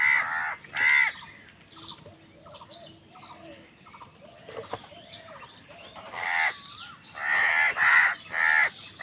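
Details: Crows in an angry fight with other birds for food: two harsh caws open, then softer chattering and whistled notes from smaller birds, ending in a run of loud, overlapping raspy caws.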